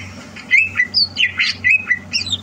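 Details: Greater green leafbird prepared for a song competition, 30 November 2022: short bursts of squawky, slurred whistles and harsh chatter, about six phrases in two and a half seconds, over a low hum.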